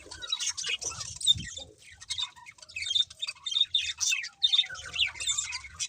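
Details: Budgerigars give uneven bursts of squeaky chirps and harsher squawk-like notes, separated by short quieter gaps, with light low knocking sounds.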